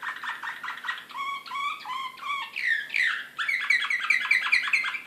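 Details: Excited Serbian slavujar canary singing in Belgrade in 2016: rapid buzzy trills and repeated chirps, then sweeping whistled slides and a fast rattling run of notes, with a faint low hum behind.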